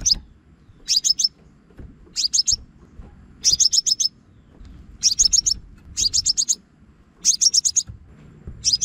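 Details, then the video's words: Trapping lure of a Scarlet-backed flowerpecker: clusters of rapid, thin, high-pitched ticks, four to six per cluster, recurring roughly every 1.2 to 1.5 seconds, with a soft low rumble underneath. "Tiếng Chim Hút Mật Xác Pháo Mồi Dùng Bẫy Loa Mới Nhất"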